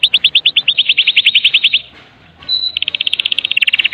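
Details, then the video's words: Medan-type white-rumped shama in kretekan style, played to coax other shamas into song: a dense high rattle of rapid crackling notes, a short gap, then a thin pure note and the rattle again. "Kretekan MURAI BATU MEDAN GACOR FULL ISIAN 100% AMPUH buat Pancingan murai batu agar bunyi"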